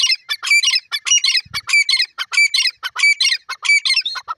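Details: Male grey francolin calling: loud, harsh, high squawking notes in fast, rough rhythm, roughly one and a half per second, with bright whistled overtones running through the whole burst.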